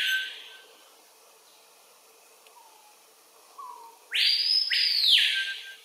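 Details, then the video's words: Adult male Screaming Piha (Lipaugus vociferans) singing on a lek in Kourou, French Guiana, 25 September 2023 at 13:00: two soft, low rising whistles, then an explosively loud, ringing two-part whistle that swoops up and falls away. "Screaming Piha (Lipaugus vociferans) male singing (screaming)"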